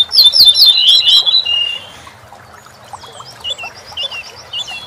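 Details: A corn bunting sings a rattling, jangling phrase, recorded for training songbirds. Rapid stuttering notes run together into a dry trill lasting about two seconds, followed by scattered high chirps and twitters from other birds.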